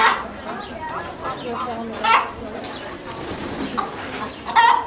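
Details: Fussing chicken giving a few brief, harsh, squawky calls spaced irregularly, the loudest ones near the start, middle and close, with faint background noise between them.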